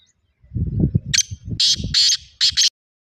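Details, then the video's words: Black francolin's harsh, buzzy phrase of several rasping notes over a low rumbling noise that begins just before the call. "Kala tetar ki awaz"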